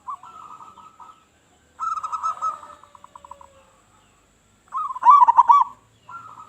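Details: Loud local zebra dove in active song, used as a lure for other doves: a soft run of quick coos, a pause, a stronger trilled phrase that trails off in pulses, then a loud rolling warble.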